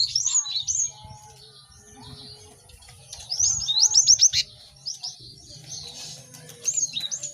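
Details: Cinereous tits singing together, used to train caged birds to pick up song fast; scattered high whistles open, then a rapid run of sharp repeated notes midway and more chirps near the end over faint low hum.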